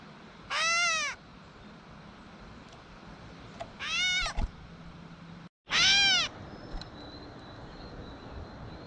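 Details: Gray catbird in a backyard while eating, giving three loud, nasal, cat-like mews several seconds apart, each slurring downward, followed by a faint thin whistle.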